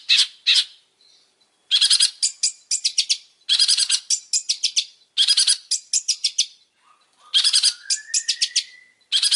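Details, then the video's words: Long-tailed shrike singing energetically: bursts of harsh, buzzy broadband notes in rapid rattling series, separated by short pauses, with a thin rising whistle near the end. "Suara burung pentet super gacor"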